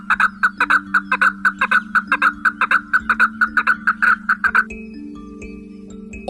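A chukar gives a fast run of clucking 'chuk' notes, about four to five a second for several seconds, over a steady musical drone.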